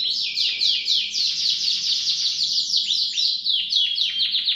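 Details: Canary singing continuously, a dense run of rapid downward-sweeping high notes joined into rolling trills, repeated about four times per second with little pause.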